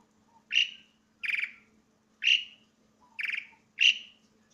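Asian pied starling giving loud notes that alternate between a clear whistle and a harsher, buzzy, rattling note, about one every 0.7 seconds, over a faint low hum.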